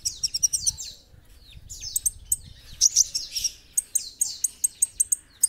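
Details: Olive-backed sunbird (kolibri ninja) singing hard for a masteran recording: a fast twittering run of high, sparkling ticks, then sweeping thin squeaks and a long series of crisp chips repeated about three times per second.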